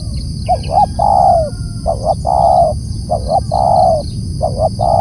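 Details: Spotted dove calling loudly and steadily: four phrases in five seconds, each a pair of quick coos followed by a sustained, gently falling coo. A low rumble and a high, even hum sit underneath.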